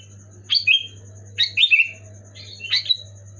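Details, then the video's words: Sooty-headed bulbul, loud and clear, played to coax pet bulbuls into song: three gurgling whistled phrases, the middle one a quick burst of three notes, over a thin steady whine and low hum. "Suara burung kutilang gacor keras jelas bikin kutilang omyokan macet malas bunyi auto bunyi gacor"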